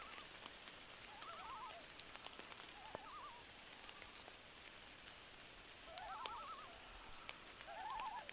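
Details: Repeated quavering tremolos from a loon, scattered across the recording and strongest near the end, set against heavy steady rain on a night-time lake.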